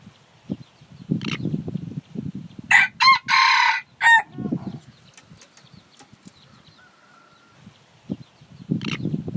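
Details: Rooster crowing, recorded naturally without mixing: a loud multi-part crow of harsh, banded notes at about 2.7–4.2 seconds, preceded and followed by low murmuring clucks and soft rustling, with scattered sharp clicks.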